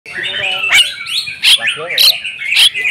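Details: Oriental magpie-robin in agitated fighting song, showing off its full repertoire: loud whistled notes and sharp rising and falling chirps around a steady high tone, with harsher lower rasping phrases in between.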